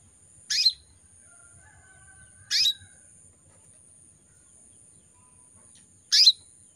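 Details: Calling to males, a breeding-condition female canary gives three crisp, high chirps at uneven intervals of two to three and a half seconds. Each note is short and drops in pitch, over a constant thin high tone.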